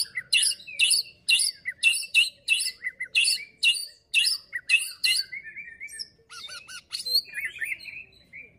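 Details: White-rumped shama, known locally as murai batu, singing a fighting-style song: a rapid run of sharp, rasping high bursts at about two per second, followed by softer whistled slurs and twittering notes.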